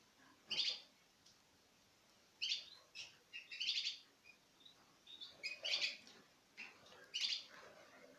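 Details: Pairs of Citril finches feed from a hand in 2016. Well-spaced, bright chirps ring out, some in small clusters, over a fairly quiet background.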